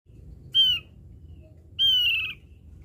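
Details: Javan grey-throated white-eye lure call: two loud, slightly harsh, falling notes, the second longer, about a second apart, over a low background rumble.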